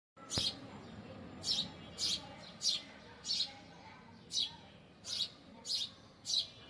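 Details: Bird perched on a balcony grill, where it sits chirping all day; short bright chirps, about nine in under seven seconds, spaced roughly every half to one second, over a low steady background hum.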